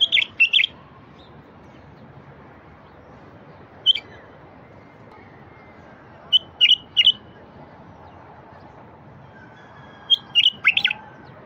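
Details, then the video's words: Bulbul song aimed at making silent wild bulbuls sing: irregular short bursts of clear, warbling notes, single or in twos and threes, spread across several seconds of quiet. "تغريد لفتح البلابل الوحشية الساكتة"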